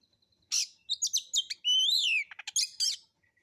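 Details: Oriental magpie-robin, known as kacer, singing relaxed rough material to draw other birds to sing: a thin whistle, a buzzy burst, sharp chips, an arched slurred whistle, quick ticks and scratchy phrases.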